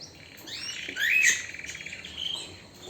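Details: Canary song fragment: a short upward sweep, then a quick rolling trill of evenly spaced pulses, ending in softer high twittering.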